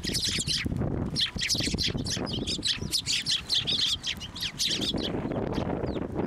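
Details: A crowd of sparrows gathers on a hand for food at a Tenmangu shrine in March 2024, giving a continuous chatter of sharp, overlapping chirps and squawks, with low background rumble and fluttering.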